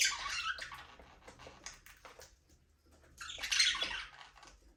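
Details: Caged budgerigars in a small aviary produce rough warbled chirping in two loud bursts, with softer clicks and ticks between them.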